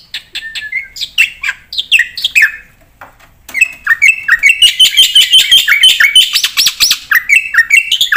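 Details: Black-winged myna in 'gacor full isian' song: chattering whistled phrases, a brief lull, then a long dense run of rapid rising chirps and ticking notes with a steady high whistle.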